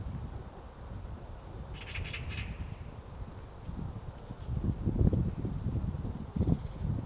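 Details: At Gongsanseong Fortress in Gongju, Korea, a White-backed woodpecker digs a nest cavity on a March morning: soft irregular tapping, a quick cluster of four sharp clicks early on, then stronger thudding blows toward the end.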